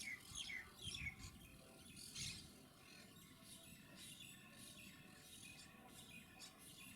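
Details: Quaker parrots (monk parakeets) recorded with a Panasonic HC-WXF990: a few sharp squeaky chirps and a harsh squawk early on, then fainter scratchy calls over steady background hiss.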